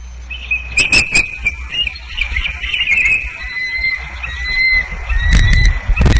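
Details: Bald eagles in Maine on 14 February 2009: thin high piping calls, a drawn-out whistled series with wavering notes, broken by wing flaps or handling thumps and low wind rumble.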